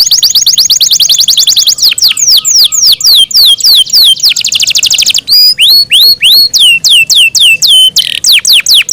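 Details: Yorkshire canary, a pet bird, delivering a long varied song: rapid high trill, a series of sharply falling slurred whistles, a dense buzzy roll, then slower rising-and-falling whistled notes.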